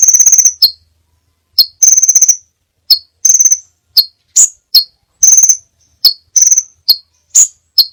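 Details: High-pitched song of a crimson sunbird with many variations, as a training recording for cage birds: rapid sharp chip trills alternate with single piercing notes. The phrases come in quick bursts separated by silence.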